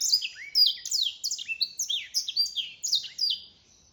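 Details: Black-throated canary song delivered by a mule: a rapid, unbroken run of high, sharp whistled notes, each sweeping downward, about three to four per second, with clean quiet background.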